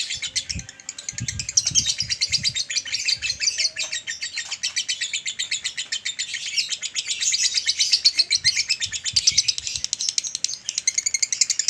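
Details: Male lovebird kept as a pet giving its long ngekek chatter, a doubled style used to train and stimulate adult males; a fast, continuous run of harsh high chirps, pulsing about ten times a second, with brief low bumps early on.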